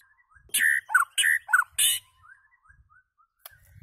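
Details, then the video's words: White-rumped shama giving a few loud clipped whistles and harsh high notes, followed by faint soft warbling. "White Rumped Shama calls and singing"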